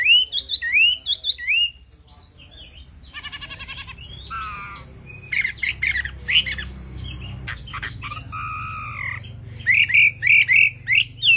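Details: Female Chinese hwamei calling to provoke a male to sing: whistled phrases broken by harsh, buzzy rasping bursts and scratchy notes, ending in a run of short repeated whistles over a low steady background hum.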